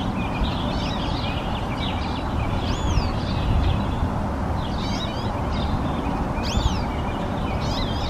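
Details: Hooded siskin song: quick twittering phrases of thin rising and falling whistled notes, scattered bursts through the clip, over a loud continuous low rumble of background noise.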